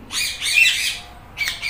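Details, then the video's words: Indian ringneck parrot, green, copying a cat's meow with a long hoarse, high rasping note, then a shorter squawk after a brief pause. "Green Ringneck Parrot Talking Meow Meow | Indian Ringneck Parrot"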